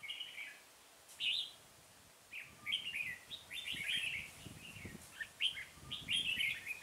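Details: Red-whiskered bulbul singing during trapping with a decoy bird at Chùa Hương, Vietnam, 5 March 2018; short bright warbled phrases, rising and falling, in bursts separated by brief pauses, over faint background hiss.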